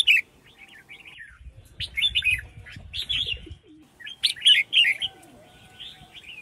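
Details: A captive female red-whiskered bulbul calls to stimulate male bulbuls into singing: bright, chattering bursts of short high notes in irregular clusters, with a low rumble under part of the recording.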